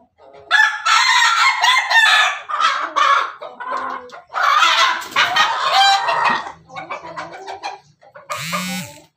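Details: Pelung chicken crossed with Bangkok stock, giving a laughing-style crow: harsh, broken bursts of rough notes in uneven pulses across several seconds, with short gaps and a lower squawk near the end.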